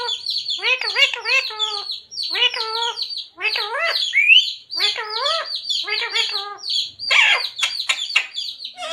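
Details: Parrot mimicking human phrases such as radhe radhe, sita ram and jai shree ram; dense, rhythmic groups of nasal, wavering speech-like syllables, ending in harsher scratchy chatter.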